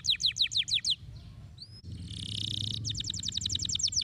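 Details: Canary giving a stimulating song: high, rapid trills of repeated falling notes, broken by a burst of hissing noise before the trill resumes, with a low hum underneath.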